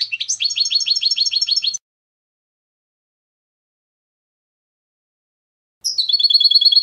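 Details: European goldfinch singing clean 'limpio' contest song meant to teach young birds: a fast burst of repeated liquid chirps, then a pause of about four seconds, then another brisk run of ringing notes.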